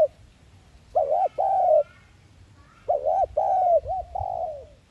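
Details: Two coo phrases from a spotted dove in 'thúc gù' lure style for trapping. Each gives a hooked note and a longer hoot, and the second phrase trails off with a fading, falling coo.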